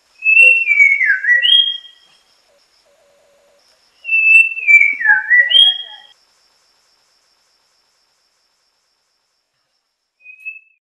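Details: White-rumped shama singing: two near-identical whistled phrases about four seconds apart, each a steady note falling into warbled slurs and a rising end, then a short faint whistle; otherwise quiet.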